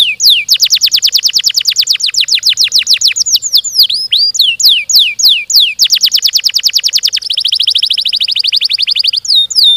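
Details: Canary singing a long, fast, tightly packed song: rapid runs of descending whistled sweeps repeated several per second, a smooth rolling trill, then a buzzier dense trill near the end.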